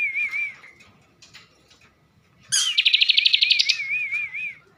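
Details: A wavy whistled phrase from a caged bar-winged prinia of Slawi, Central Java, then a pause. A sharp note follows, then a loud pulsed buzzing trill that eases into a rolling warble.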